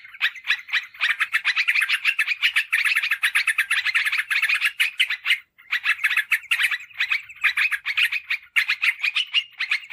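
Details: Used as a lure for wild sooty-headed bulbuls and as a tutor for home birds, a steady, fast chattering of bright notes runs almost without a break for ten seconds.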